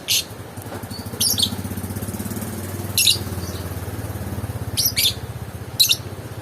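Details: Lovebird giving shrill, high-pitched chirping bursts in short clusters at irregular intervals, over a steady low engine drone throughout.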